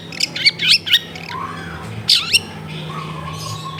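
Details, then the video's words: Long-tailed shrike song used as a lure to get reluctant shrikes singing, recorded at home in a crowded neighbourhood: sharp high chattering notes in quick bursts, a pause, then two more harsh bursts, over a steady low hum. "SUARA BURUNG CENDET GACOR PANCINGAN CENDET MALES BUNYI"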